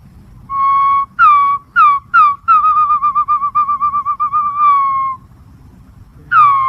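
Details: Green pigeon giving clear whistled notes: a steady long whistle, several short downslurred whistles, then a long quavering whistle that wavers rapidly before falling away, and a final falling note.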